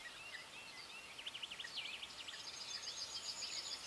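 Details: European bee-eaters calling in South Moravia: short burry notes that dip and rise, uttered in quick clusters over a noisy background, followed by a fast series of high, evenly spaced notes from another bird.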